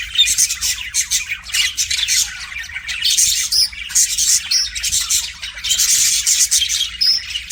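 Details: Caged pet budgie warbling at its mirror reflection, a busy stream of high buzzy chirps, squeaks and clicking notes delivered in quick bursts with short gaps, steady throughout, nothing else clearly heard.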